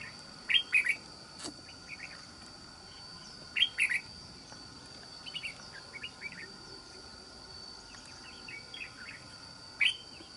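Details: Red-whiskered bulbul, a wild-caught trapping bird with a fine island-forest voice, repeats short, loud, bright warbled phrases about every three seconds, with softer chirps in between and a faint constant hiss.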